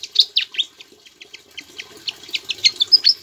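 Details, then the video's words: Javan flycatcher singing actively, its song carrying Ciblek (bar-winged prinia) imitations, kept as a tutor for other songbirds; loud sweeping notes open, then a run of short repeated chirps building into sharp whistled flourishes over faint hiss. "BURUNG SIKATAN JAWA GACOR ISIAN CIBLEK"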